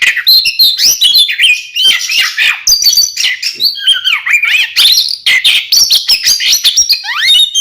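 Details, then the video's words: Kacer, the oriental magpie-robin, singing to prompt caged birds: a nonstop jumble of slurred whistles, sharp chirps and squeaky notes, varied and fast throughout. "suara burung Kacer KEMBAR NGEPLONG paling ampuh buat pancingan"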